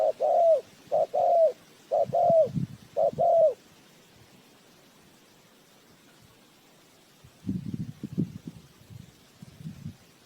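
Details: Decoy spotted dove for trapping birds, calling four quick two-part coos about once a second, each a brief note followed by a drawn-out dropping one, then quiet with later low rustling.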